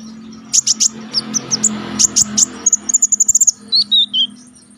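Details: Konin songbird singing sharply, a master recording for song contest training. Clear high whistled notes come in separate pairs, then a rapid run of about eight bright notes and three falling slurred whistles over a steady low hum.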